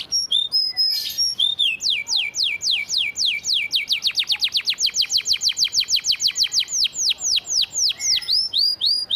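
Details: Master training song of a canary in the church-filler style: a few high notes, then a long rapid roll of descending whistled sweeps, about four per second, going on for seven seconds.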